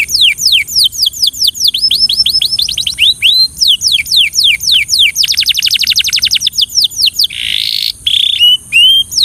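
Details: Belgian canary song for training. Rapid tours of descending whistled sweeps give way to a very fast dense trill, then a short raspy burst and a few rising slurred notes.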